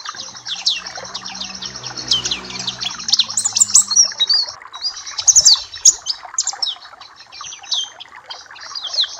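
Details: Papua black-capped white-eye, a tutoring song for training other birds: a long, fast chatter of very high chirps and sharp slurred notes pouring out nearly without pause, with a low hum early on.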